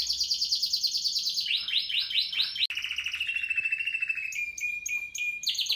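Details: Spanish Timbrado canary of 2017 singing a high trill, then a series of descending swoops, followed by a low flat sustained tone and a final high rattle.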